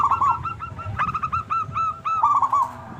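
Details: Local Indonesian zebra dove with a big voice, singing actively, used as a lure to get other zebra doves singing: a quick run of hooked, hollow cooing notes near one pitch, several overlapping, with a low rumble beneath.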